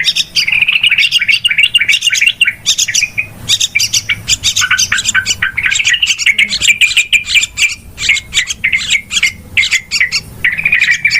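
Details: Noisy yellow-vented bulbul calling, a lure recording for trapping: dense, busy chatter of overlapping bubbly chirps and clipped notes, running almost continuously with brief gaps, suggesting several birds or a layered call.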